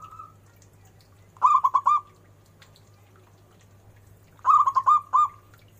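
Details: Loud local zebra dove in the ornamented cengkok style, giving two separate bursts of rapid, staccato cooing notes at a steady mid pitch. Roughly two and a half seconds of quiet separate the bursts, and a faint low hum runs underneath.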